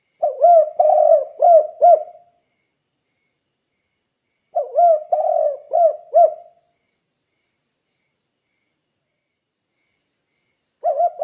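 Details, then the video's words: Spotted dove cooing, used as a lure for other doves: deep soft phrases of about five notes with a rough middle coo, repeated roughly every four seconds, silence between. "Suara Burung Tekukur Gacor Kuk 2 Untuk Pancingan Derkuku Biar Cepat Bunyi"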